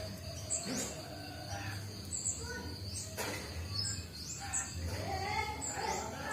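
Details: Cinereous tit (Glatik Watu), a young bird learning its voice and newly managing the ngombyok style, gives a series of thin upward-slurred whistles about every second, against rustling and a low hum.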